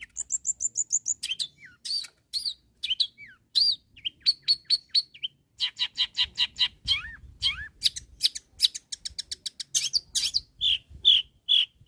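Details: Long-tailed shrike in full song, calling to rivals: a rapid, varied run of high chattering notes, sharp whistles and rising slurs, with rattling trills and bursts repeated at an uneven, fast pace.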